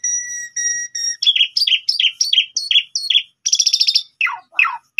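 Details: Morning lure song of an Asian pied starling calling a rival. It opens with three steady pure whistles, then a quick string of paired chirps, a rasping buzz and descending slurred notes.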